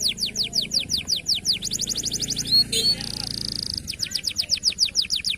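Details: Local canary in song, recorded as training material: rhythmic downward-sweeping whistles, a faster stretch of similar notes, a brief squeaky break and a steady buzzy tone, then the repeated sweeping notes resume.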